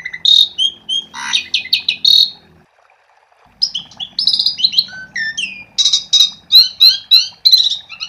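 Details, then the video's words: Asian pied starling song meant to spur other starlings into singing: a burst of varied whistles and rattling notes, a brief silence, then a fast jumble of descending whistles, buzzes and chirps repeated roughly three per second. "Suara Jalak Suren Gacor untuk Pancingan"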